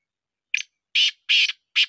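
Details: Sindhi-breed black francolin with the chakri call style, uttering loud rasping, grating notes: a short first note, then three broad harsh bursts about a third of a second apart, in a quiet setting.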